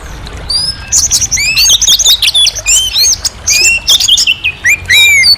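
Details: Orange-headed thrush singing clear, looping whistled phrases mixed with fast chirps and rising and falling slurs, loud and nearly continuous.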